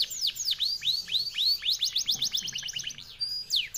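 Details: Canary of the F1YS strain singing a long, fast, clear song: a run of sweeping down-slurred whistles, then a quick train of short sharp notes, ending in a brief high trill.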